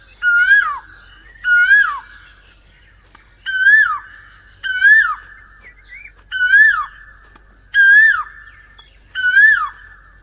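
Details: An Asian koel (Eudynamys scolopaceus) gives seven loud, ringing calls, each rising then dropping sharply, repeated roughly every second and a half against a quiet background.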